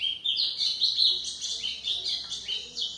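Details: A White-throated seedeater delivers a loud, unbroken phrase of high, quick twittering notes, each sliding up or down, used as a model song for teaching young birds.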